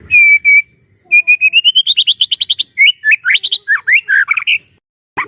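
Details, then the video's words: Captive white-rumped shama singing as a trainer bird for other shamas: two steady whistles, then an accelerating run of rising notes climbing in pitch, followed by jumbled slurred phrases and a final sharp note. "burung murai batu gacor AMPUH buat PANCINGAN dan MASTERAN murai batu agar bunyi GACOR EMOSI"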